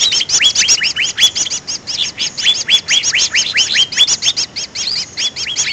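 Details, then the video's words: Greater green leafbird calling as a trapping lure: quick repeated falling whistles with a sharp tinny edge, tightly packed, interspersed with short high chips, continuous and energetic. "suara pikat burung cucak ijo paling ampuh"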